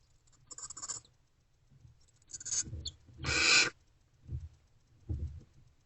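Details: Barn owl nest box at night, 28 February 2024, during food deliveries: one loud, harsh hissing screech stands out among fainter rasps, soft scuffles and low knocks.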